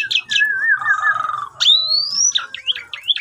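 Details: Javan pied starling morning lure song, phone-recorded, meant to spur a silent bird into singing: a long wavering whistle that falls and levels, then a sharp rising whistled slur and a few quick twittering notes.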